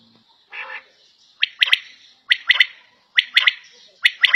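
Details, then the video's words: Home-kept quail gives a brief buzzy note, then a steady series of crisp three-note phrases spaced roughly a second apart, each note sharp and high, with little other sound. "Battair Sound In Home"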